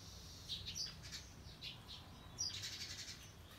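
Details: Hand-tame common hill myna, loose from its aviary in the morning on November 18, gives high, thin chirpy notes in two clustered bursts, around half a second and two and a half seconds in, with soft rustling between them.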